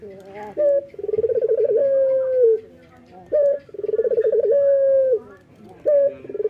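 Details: Male local Barbary dove calling steadily in the morning: a short clipped note, then a quick rolling purr that swells into a smooth, level, drawn-out coo, repeated twice with brief pauses between.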